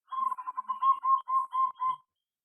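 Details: Zebra dove in an aviary giving a two-second run of quick, evenly spaced cooing notes at one mid pitch, each note short and slightly buzzy, ending abruptly into silence.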